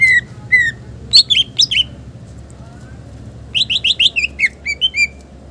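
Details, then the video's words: Green leafbird singing with a varied fill of mimicked phrases for luring and training: clear slurred whistles and fast bright notes in two bursts, separated by about a second and a half of near silence. "Cucak ijo gacor Bongkar isian mewah Muzarab buat Pancingan dan masteran"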